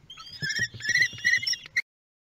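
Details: Common kestrels at the nest at Théding, France, on 9 June 2022: a short burst of high wavering whistled calls, several voices overlapping, with faint low knocking below, ending abruptly after under two seconds.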